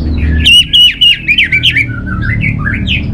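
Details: Orange-headed thrush giving a fast burst of loud, clipped whistled notes repeated several times a second, then softer rising slurred phrases, over a low hum.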